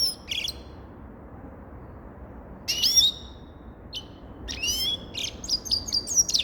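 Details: Short bursts of high twittering from a grey-crowned goldfinch, then a longer phrase of rapid chirps and ringing rising notes toward the end.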